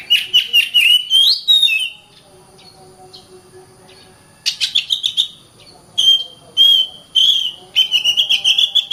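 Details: Dense 'gacor rapat' singing of an Oriental magpie-robin (kacer), played to train birds to sing and fight: bursts of rapid chattering and whistled notes, a two-second lull, then renewed fast whistles and trills.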